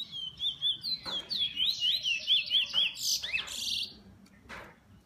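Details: Song of a kept bullfinch: a quick string of high swooping whistles repeated several times a second, then a harsh buzzy flourish and a few sharp chips as the phrase fades.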